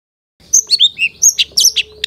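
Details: Master recording of long-tailed shrike song for training caged birds, a quick run of slurred high whistles followed by harsher chirping notes in close succession.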